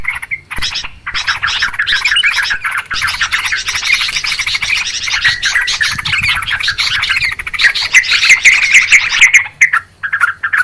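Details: Noisy trucukan, the yellow-vented bulbul, calling as a bird-trapping lure: a continuous, busy torrent of harsh chattering and chirping notes, nearly unbroken for ten seconds before trailing into a few scattered calls.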